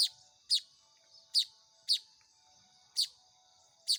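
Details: Baya weaver chicks begging while being hand-fed: short, sharp, high chirps sliding downward, given singly at uneven gaps of about half a second to one second, with a faint steady background hum.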